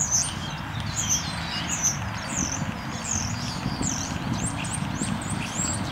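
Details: Courtship display song of a common starling (Sturnus vulgaris): a string of high, curved whistles repeated about every second, some swooping down, over constant low background noise.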